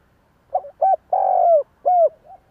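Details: Spotted Dove coo played as a lure to make wild doves answer: a stuttering low note, a short coo, one long throaty falling coo, then a closing downslurred note.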